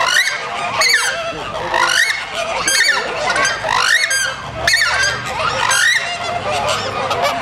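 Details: Several crested screamers screech during the Christmas season, loud honking, goose-like calls with steep rising and falling harmonic strokes, repeated roughly once a second in overlapping bouts.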